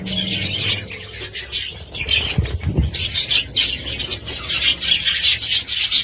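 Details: Budgies at home giving a dense, scratchy warbling chatter with quick chirps, high and continuous, and a short low thump near the middle.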